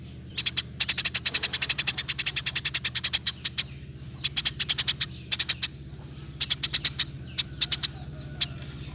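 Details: Eurasian tree sparrow 'roll tembak' song, fast and tightly spaced, meant as master material for training other songbirds; a long opening volley of high ticking chips, then shorter bursts of three to five over a low steady hum.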